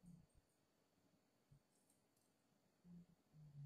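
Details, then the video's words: A spirited five-month-old dove gives low, muffled coos: a short one at the start, then a few deeper, drawn-out coos near the end, over quiet background hiss. "chim cu 5 tháng gù hơi máu lửa"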